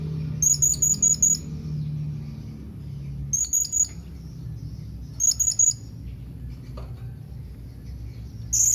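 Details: Blue-crowned hanging parrot calling its companions, shrill high-pitched pulsed phrases of four to five quick notes repeated every two seconds or so, over steady low rumble.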